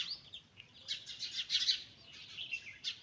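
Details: A short stretch of shrill cheeping from young chicks walking with a mother hen, with overlapping high notes peaking in the middle.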